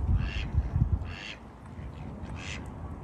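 Three nasal Mallard quacks, spaced about a second apart, over low rumbling wind and handling thumps.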